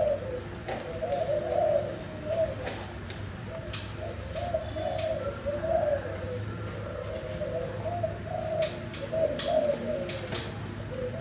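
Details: Male spotted dove, a bird that has fathered several broods, cooing loudly; low soft coos repeat in rhythmic phrases about every second, over a steady high-pitched electrical whine and faint clicks.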